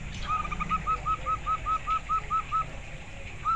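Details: Local zebra dove, said to be a clear and persistent singer, giving a rapid run of about eleven short, even, clipped notes, then one more after a pause, over a hissing background.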